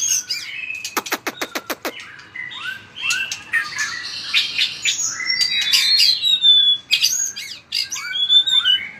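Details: Fired-up white-rumped shama in fighting song with powerful tail-flicking: a rapid train of sharp clicks opens, followed by varied whistled phrases and looping slurred notes, some ringing very high.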